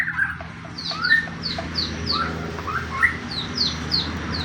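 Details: White-rumped shama singing a pastol fighting-style lure to provoke other shamas: a run of repeated high downslurred whistles interleaved with lower chirping notes, about two per second, against a noisy background.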